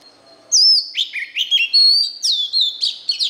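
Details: Oriental magpie-robin song for young birds to learn: a lively, continuous string of about a dozen whistled notes, jumping between higher and lower pitches, some slurred and some sharply clipped.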